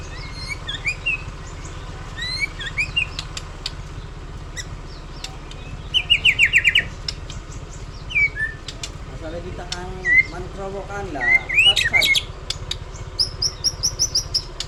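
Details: White-rumped shama singing vigorously: varied, fast whistled phrases that sweep up and down, with sharp chips and bursts of rapid ticking notes scattered through the passage, over a steady low hum.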